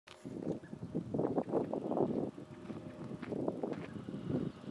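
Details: White stork (Ciconia ciconia) at Bled, Slovenia, on 30 April 2024: a dry rattling clatter in uneven bursts, rapid wooden knocking that swells and fades over several seconds, with faint outdoor background.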